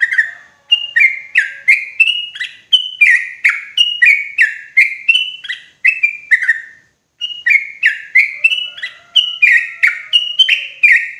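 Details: Loud, clear lure call of sooty-headed bulbul used to trap the species in forest: long runs of quick, liquid chattering notes, each dropping slightly in pitch, with one short gap midway and a faint thin whistle behind.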